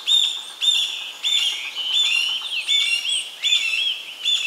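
A young varied tit gives high, thin calls with a buzzy edge, repeated roughly every half second in an uneven series. Nothing else stands out.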